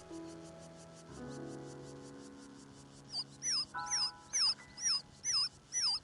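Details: Soft orchestral music gives way to a newly hatched Taiwan ring-necked pheasant chick's thin, high peeps, about twice a second, eight in a row, going unanswered while the hen is away from the nest.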